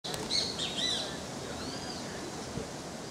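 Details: A juvenile great kiskadee (Pitangus sulphuratus) calls in Groningen, Suriname, in March 2020, giving a few quick, high, slightly harsh notes, then a fainter arching whistle, over a steady hiss of outdoor background noise.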